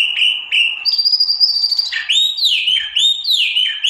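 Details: Tieu mi, or wambi mini, a white-eye, sings clear upslurred whistles, a long high steady note, then loud sweeping descending whistles repeated at a quick pace.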